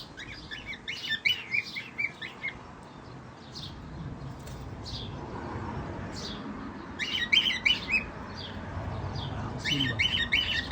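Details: Lutino cockatiels giving bursts of quick, high chirps and short whistled notes over a low background murmur.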